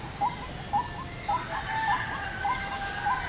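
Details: Lured toward a trap in a salak plantation, a white-breasted waterhen gives spaced, hooked notes about every half second, with a thin steady whistle-like tone and a loud high insect drone behind.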